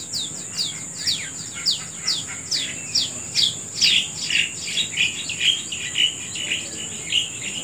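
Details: Bird singing at dawn outdoors: a quick, rhythmic string of high, descending chirps about twice a second, turning to warbled twitters near the end, backed by a steady buzzing insect chorus.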